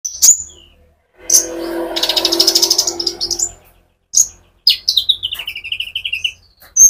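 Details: Sunbird singing actively in a rolling song, used as a training lure to stimulate other sunbirds; sharp high chirps open, a dense buzzy burst follows, then a descending run of short whistled notes ending in a high chip.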